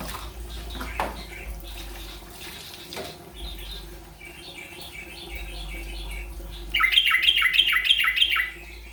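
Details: Yellow-vented bulbul learning the rolpen song style: after faint scattered notes over a steady low hum, a brisk run of bright, evenly repeated chirping notes bursts out near the end, about three per second, then stops.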